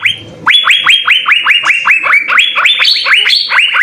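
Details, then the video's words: Asian fairy-bluebird singing vigorously with full fill-in, used as a tutor song: a fast run of loud upswept whistled notes, about four per second, some rising higher toward the end, after a low murmur. "suara 3 CUCAK BIRU GACOR full isian"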